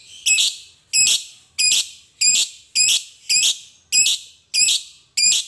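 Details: Lovebird of the fighter type singing ngekek as a lure for other birds: sharp, shrill chirps repeated steadily, about nine in five seconds, evenly spaced and loud.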